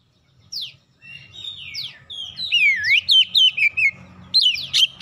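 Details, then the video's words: Magpie-robin song played as a lure to draw other birds into singing: after a quiet start, bright whistled notes swoop downward, then a fast run of repeated sharp chirps and a final burst of rising whistles, with faint low rumble beneath. "KACER LAIN LANGSUNG RESPON GACOR SEKALI PANCING"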